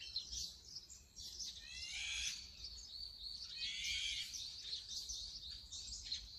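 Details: Brown-eared bulbul captured with a Sony A7M3 and telephoto lens, giving harsh, buzzy squeals around two and four seconds over a busy backdrop of high bird twitter.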